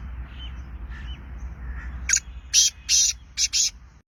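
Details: Black francolin, called kala tetar and described as Sindhi, gives a loud series of five rasping, clipped notes in uneven rhythm over about one and a half seconds, preceded by soft faint bird notes and low background rumble.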